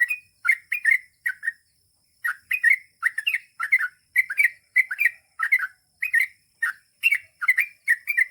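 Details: Long rolling ropel song of a chatty Yellow-vented Bulbul (trucukan): lively, liquid chirped phrases in rapid bursts, with a brief pause near the start and then steady, closely packed repetitions.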